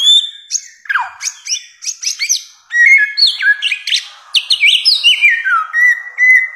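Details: Bare-throated whistler (samyong) in a long mastering recording of varied song: quick bursts of sliding whistles and chirps, some notes sweeping down sharply, others held steady, delivered in short phrases with brief pauses.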